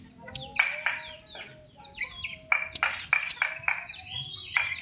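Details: A small yellow common iora, hand-raised from a chick, gives harsh, buzzy, nasal notes in an uneven run of about three per second, with a few thin high whistles mixed in.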